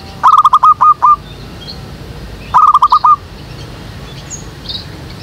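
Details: Zebra dove calling from a jackfruit tree behind a house, used to lure doves for trapping: two phrases of rapid, stuttering cooing notes, each a quick run of five or six short pulses, about two seconds apart, with faint birds in the background.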